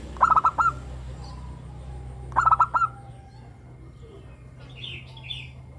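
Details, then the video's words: Local zebra dove in lively 'crystal' voice song, used as a lure to set captive doves singing: two stuttering cooing phrases about two seconds apart, then quiet with faint chirps from other birds near the end. "perkutut lokal gacor suara kristal - pancingan perkutut agar bunyi"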